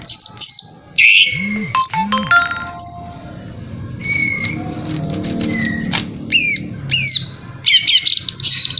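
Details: Lure song of a greater green leafbird meant to rouse a rival: a lively, varied run of sharp chirps, rapid trills, upward-sweeping whistles and steady whistled tones, with brief harsh bursts and a faint low murmur beneath.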